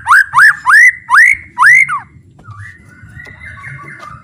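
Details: White-rumped shama song used to train other shamas: five loud, arching whistled notes in quick succession, then quieter, flat drawn-out whistles over a low background hum.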